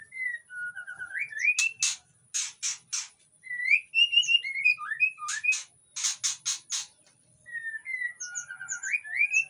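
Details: Breeding-condition White-rumped shama singing in an Indonesian aviary to draw other shamas in: rising whistled phrases mixed with loud, harsh, rapid clicking bursts, repeated throughout with short gaps.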